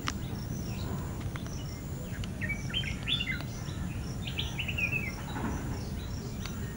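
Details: Flame-throated bulbul calling at End Point, Manipal: a short run of bright, warbling chirps over a few seconds, with faint high chirps from other birds and a steady low rumble of wind or distant traffic.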